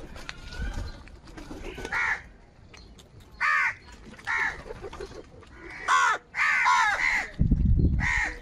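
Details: A flock of crows in the morning, fighting for food, caw in a rapid run of harsh, nasal calls, several overlapping near the end, with a low thump of background noise.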